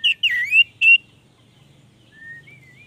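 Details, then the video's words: Orange-headed thrush gives three loud, rich whistled phrases in the first second, swooping and warbling, then a faint rising whistle near the end. "Anis merah gacor"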